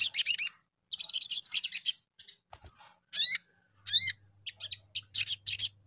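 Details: Lure call of a sogon used to provoke other sogon into answering: dense, twittering high trills opening, then separate rising chirps spaced around half a second to a second apart.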